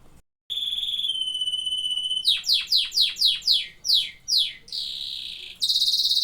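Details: Canary singing: a long steady whistle with overtones, then about ten repeated descending slurred notes, a buzzy trill, and a very loud rapid high rattle at the close.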